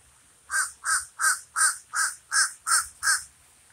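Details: Steady series of eight harsh, grating caws from a common raven, evenly spaced roughly three a second.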